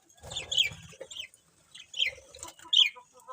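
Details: Colourful budgies giving short, sharp chirps with quick downward twists, in small bursts separated by brief pauses, with soft low thumping underneath.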